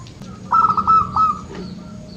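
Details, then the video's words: Single phrase from a local zebra dove, used for coaxing quiet birds to sing: a brief run of rapid, evenly pitched staccato coos lasting under a second, over low background rumble. "SUARA BURUNG PERKUTUT LOKAL - Atasi perkutut malas bunyi"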